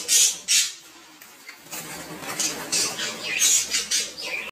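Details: Captive budgerigars during mating: sharp clicking chirps and short whistles, a few loud ticks at the start, then rapid scratchy chatter.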